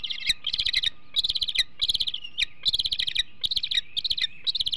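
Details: Bald eagle eaglet at the Hanover nest in 2021, acting aggressive and possessive over food days before fledging: rapid bursts of high, squeaky chittering notes in quick runs, repeated with brief gaps.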